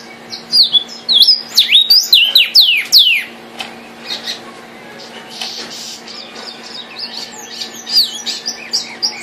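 A Vermilion Cardinal sings a quick run of loud, clear, down-slurred whistles for about three seconds, followed by softer scattered chips over a faint steady hum.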